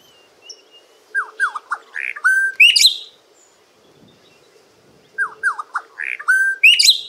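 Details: Red-billed quelea singing: a repeated phrase of descending chirps that builds into harsh, buzzy, high-pitched notes, given twice with a short pause between; a faint low hum runs beneath.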